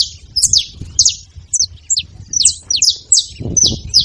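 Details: Saffron finch giving spaced, sharp, high chirps and short downslurs, about two or three each second, with a soft low thump near the end.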